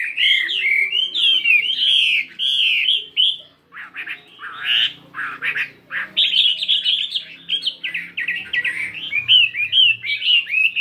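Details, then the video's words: Morning voice practice by a 72-gram fighting Chinese hwamei with a changeable song. Fluid whistled phrases give way to harsh, chattering notes, then return to bright, fast, varied warbling. "Tiếng Chim Hoạ Mi Chiến 72gam Hót Đảo Giọng Rất Hay."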